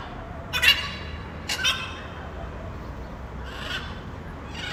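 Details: Blue-and-yellow macaw (Ara ararauna) in nature: two short, harsh squawks about one second apart, followed by fainter, more distant raspy calls against a steady hiss.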